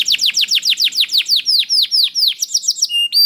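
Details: Canary song played so that other canaries answer and sing: a steady run of about twenty sharp, high, downward-swept notes repeated in rhythm, ending in two clear sustained whistles.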